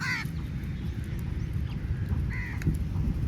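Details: Crow calling for food: two short, nasal, harsh caws about two seconds apart, set against constant low-pitched background rumble.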